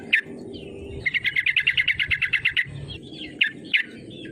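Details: Lively yellow-vented bulbul calling to goad rival birds into song: a lone sharp chip, then a rapid rattling run of evenly spaced notes lasting about one and a half seconds, ending with a few scattered clear chips.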